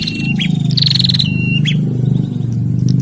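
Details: A bar-winged prinia pair, male and female, exchanging calls: a short whistle, a sharp chip, then a rapid buzzy trill and another level whistle, all over a strong continuous low hum.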